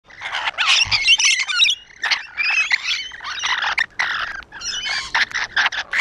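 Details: Rainbow lorikeets perched on a wall, a dense chorus of harsh screeching squawks and shrill chattering, overlapping bursts with brief gaps.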